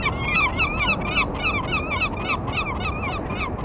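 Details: Vega gulls calling in courtship on 5 February, early in the breeding season, the pair still apart; loud, rapid repeated nasal mewing notes with bending harmonics, about three to four per second, over steady background rumble.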